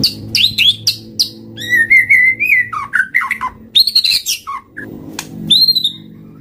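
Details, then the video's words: Lure song of a white-rumped shama: fluting whistled phrases, warbled slurs and quick high notes over a steady low hum in the background. "Suara pikat murai batu"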